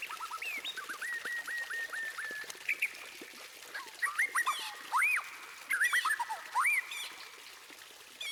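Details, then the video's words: White-rumped shama song beginning with softer chattering notes. Loud, clear upslurred whistles then follow at roughly half-second intervals, with a few high twittering notes. "Kicauan Emas: Masteran Murai Batu untuk Pecinta Burung"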